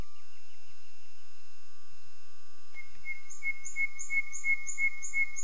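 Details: Common nightingale song, quiet and distant: a few soft notes, then a slow series of pure, evenly spaced whistles repeated about three times per second.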